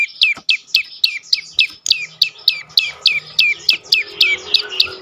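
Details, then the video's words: Prinia, locally prenjak lumut, singing a lure song to provoke other birds: around seventeen high, clipped notes that drop sharply in pitch, repeated briskly and regularly, with a faint low hum behind. "prenjak lumut lain makin tergoda berbunyi sangat ampuh untuk pancingan burung bisu"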